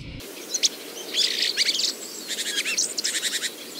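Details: Common blackbird (Turdus merula) quiet subsong ("ventriloquism"), muttered before its full song, in an early-spring park in Moscow: quiet, high, scratchy twitters and squeaks in two loose bursts of rapid chirpy notes.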